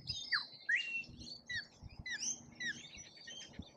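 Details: Rainbow lorikeets feeding in Australia utter short, piercing, downward-slurred screeches in rapid succession, about a dozen notes over nearly four seconds, with soft thuds between them.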